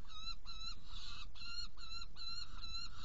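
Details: Saker falcon in Hungary, 16 June 2018, 18:57, prey delivery and feeding of two young: an even, steady sequence of flat, nasal, strongly harmonic notes, about three each second, over low rumble.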